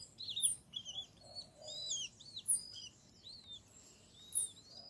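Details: Brazilian feeder scene in an acerola tree with a Great kiskadee family: a lively run of high, curved, chattering notes, denser at the start, then sparse sharp chirps.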